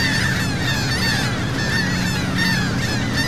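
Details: Seagulls recorded from a sea boat near Saint Martin, Cox's Bazar, Bangladesh, many birds giving squealing, bowed cries in quick overlapping succession above a steady motor drone.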